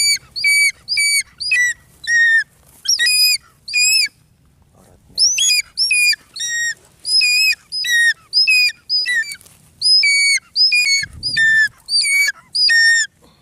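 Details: Light-morph changeable hawk-eagle hunting a mandar bird: loud, sharp whistled notes with a downward kink, repeated about twice a second in a long series, broken by a short gap, with some faint rustling.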